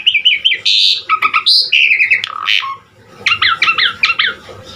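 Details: Jalak suren (Asian pied starling) in lively varied-fill-in 'gacor' singing meant as a master recording: squeaky whistles and a buzzy squawk, a short pause, then a rhythmic row of five paired chattering notes.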